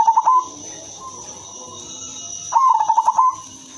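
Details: Female silver zebra dove, kept as a lure for other zebra doves, giving two short rapid cooing phrases, each a quick run of soft pulsed coos near one pitch, separated by about two seconds, over a steady high hiss.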